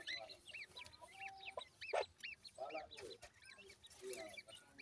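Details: Grey francolin chicks, locally called gora teetar, giving quick high arched peeps, each rising then falling, repeated several times a second over a soft hiss, with a few louder broadband knocks.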